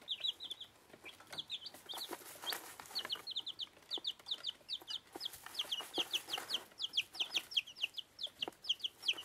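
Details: One-week-old bantam chicks, dwarf Plymouth Rocks and dwarf Rhode Islands, feeding; a steady stream of high, short peeps in quick clusters, with soft pecking and scratching clicks throughout.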